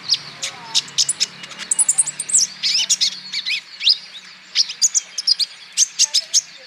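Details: Male olive-backed sunbird from Natuna, a green-type bird kept to prompt other birds to sing: rapid, very high sharp chips and short buzzy trills, some slurred notes, in dense irregular bursts for nearly seven seconds.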